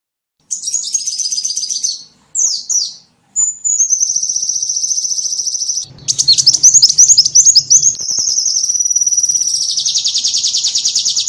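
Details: Small bird calls used as a lure to attract small birds: high, thin twittering phrases, then a long sustained buzzy trill, a burst of rapid rising chirps and a final fine vibrating trill, with a faint low hum underneath.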